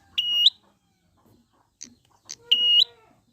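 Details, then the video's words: Wild prinia used as a lure to get birds singing: two loud, flat, whistled notes with a hooked ending, a second apart, separated by short faint chips and a lower steady hum. "pancingan prenjak gacor alam liar"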